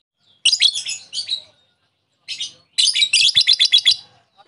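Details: Provoking call of a lovebird, aimed at getting a rival to respond with ngekek: a harsh, buzzy high burst, a pause, a short squeak, then a rapid rattling chatter of about ten notes.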